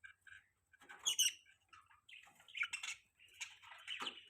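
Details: Budgies chattering in a scratchy, warbling stream of short chirps and buzzy notes, rising into louder bursts, with a faint low hum underneath.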